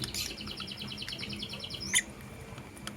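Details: Lovebirds, a blue opaline and a green personata, chirping in the morning as a pair in love: a rapid, even train of short high chirps for nearly two seconds, closed by one sharp bright squeak.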